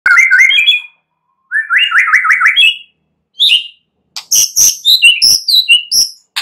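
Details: White-rumped shama singing at night, played to stimulate other shamas to sing: rich whistled phrases, a rapid series of rising notes repeated about five times, then sharp high chips and varied fluty notes.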